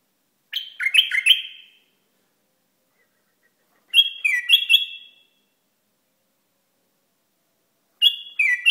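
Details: Iraqi bulbul repeating a clear fluting phrase of three or four warbled notes, three times, with gaps of about two seconds.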